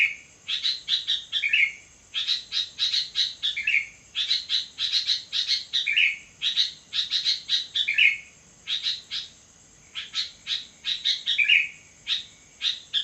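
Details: A sooty-headed bulbul sings persistently in the middle of the night, with dense bursts of sharp chirps, each group closing in a bubbly downward whistle, repeated roughly every two seconds over a steady high-pitched background whine.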